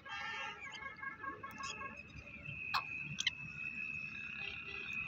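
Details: Black francolin, known locally as kala teetar, giving a short burst of harsh, layered grating notes for about two seconds, followed by a thin steady high tone with a few sharp clicks over low background rumble.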